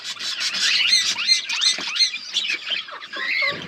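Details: Budgerigars in a breeding group with chicks growing up, rapid rising and falling chirped notes, roughly three a second, from several birds overlapping.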